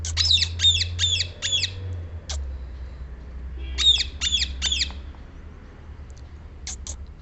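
A rose-ringed parakeet gives harsh, shrill screeches in quick bursts of three or four, with a low rumble of wind or traffic beneath.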